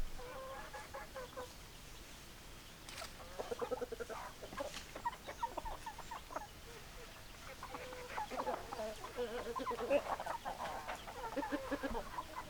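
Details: Hens cluck softly in loose overlapping groups, quiet at first, then swelling into denser chatter with intermittent louder notes against steady low rumble.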